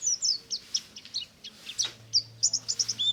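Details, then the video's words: Pleci buxtomi white-eye ngalas chorus in the morning: busy, overlapping high chirps and twitters, very rapid and uneven, with a low hum entering partway. "BURUNG PLECI NGALAS DI PAGI HARI"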